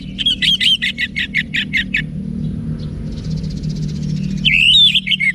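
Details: Orange-headed thrush song, wiksar style, played to provoke cage birds into responding: eight harsh repeated chattering notes, a pause with faint high buzzing, then loud twisting whistled phrases.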